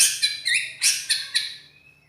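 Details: White-rumped shama with a loud, harsh-voiced song: a few high, bright whistled and chattering notes in quick bursts that fade away, over a faint low hum.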